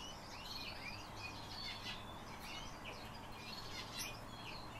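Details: Black lark song: a busy, jumbled stream of high twittering and chirping notes with quick rising and falling slurs, delivered almost without pause over a steady low hum.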